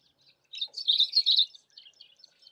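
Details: Yellow-bellied eremomela singing while foraging for insects in a bush: a fast, high, tinkling twitter of thin jumbled notes lasting about a second, followed by a few scattered soft chips.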